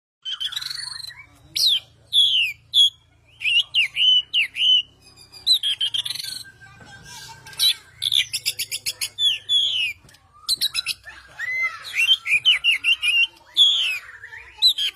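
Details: Oriental magpie-robin of the fighter type, in loud full song: a rich sequence of varied whistles, sweeping slurs and rapid rattling trills in quick bursts, with brief faint voices in the background.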